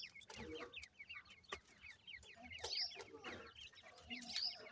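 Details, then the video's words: Several young grey francolins at home make steady streams of thin, falling cheeps. Occasional sharper high squeaks stand out above a low patter of movement. "dakhni teetar chicks ki video,cute tetar babies"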